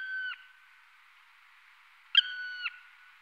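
Black woodpecker giving two drawn-out, level, slightly nasal calls, each about half a second and ending in a quick downward slur; a sharp tap opens the second.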